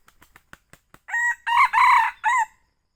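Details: Young red junglefowl crowing, used as a hunting lure call. Several faint clicks lead into a loud four-part crow: a short note, two stretched harsh syllables and a descending tail.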